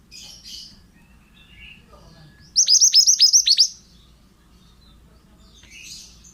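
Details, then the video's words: Lively pied bushchat song used for training other songbirds: one bright burst of about seven rapid, hooked high whistles lasting a second, framed by soft distant chirping before and after. "BURUNG MANTENAN GACOR--MASTERAN AMPUH"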